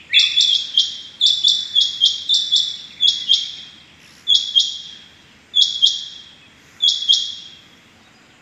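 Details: Rain quail calling on the morning of 6 July 2021: bright, high, paired 'whit-whit' notes in quick runs, later spaced into pairs about every second and a quarter.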